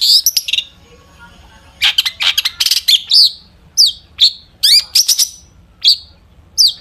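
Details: Long-tailed shrike singing actively, full of varied fill phrases, played to provoke other shrikes into song. An opening burst of chatter leads into loud rapid chips, then sharp downslurred whistled notes spaced about half a second apart.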